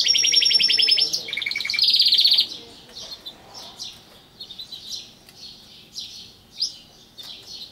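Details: Caged pet canary opening with rapid high rolled trills for about two seconds, then dropping to soft, scattered chirps repeated at irregular intervals.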